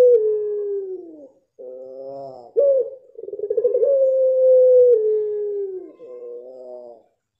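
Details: Puter pelung dove singing in one of several distinct rhythm styles: long level coos that slide downward, separated by short harmonic phrases and a throbbing, stuttering middle section, all at a steady mid pitch.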